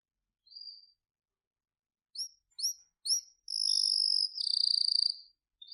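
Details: Singing canary giving a short whistle, three quick upslurred chirps about half a second apart, then a sustained high whistled note followed by a rapid rattling trill, with silence around.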